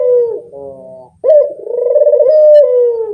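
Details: A Barbary dove lure call: the tail of one coo fading into a buzzy note, then a loud, long, smooth coo rising slightly and slowly sinking at the end.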